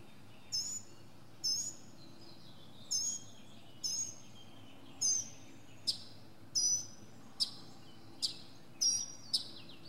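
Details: Northern mockingbird singing from the top of a pine tree, a mini concert of varied sounds. A short, high, whistled phrase with a sharp downward flick repeats about once a second, with a quiet background.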